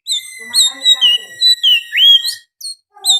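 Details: Clear whistled oriental magpie-robin song carrying sooty-headed bulbul phrases, a long steady whistle overlaid with warbled notes, ending in a strong rising slur and then short separate notes.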